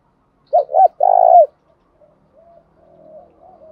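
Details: Caged female spotted dove acting as a decoy, calling to draw wild males into a fight. Two short hooked coos lead into a long vibrating coo, then quieter drawn-out coos follow.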